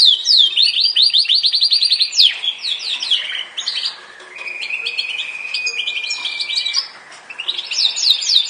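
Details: Yorkshire canary singing: fast rolling trills of high, rapidly repeated notes, bright chattering phrases and a long level trilled tour, with short pauses between phrases.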